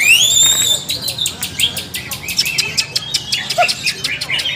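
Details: In a group training session, a cucak ijo (greater green leafbird) opens with long rising whistles, then fires off rapid clicking and chipping notes about four per second.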